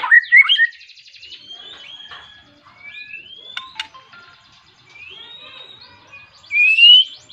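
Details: White-rumped shama singing insistently to call a rival, used to provoke other shamas into song: varied whistled phrases, rising slurs and rapid trills around the mid-high range, loud opening and closing notes with quieter passages between.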